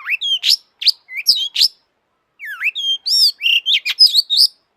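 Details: Long-tailed shrike in full excited song, meant as a lure to make other shrikes sing: quick varied phrases of rising whistles, slurred chirps and scratchy notes, a short pause, then a dense run of twisting, mimicry-like notes.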